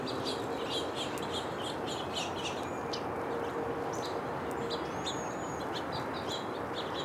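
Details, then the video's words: House finch giving short, high chirping notes in quick scattered bursts, with a couple of thin whistles, over a steady broad hiss of background noise. "House Finch"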